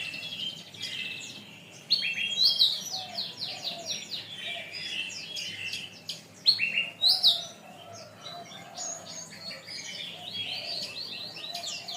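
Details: Domestic canary tutor song for training birds: dense, high, chattering song of rapid chirps and buzzy notes, with two louder bursts of sharp, ringing phrases near the second and seventh seconds before softer twittering continues.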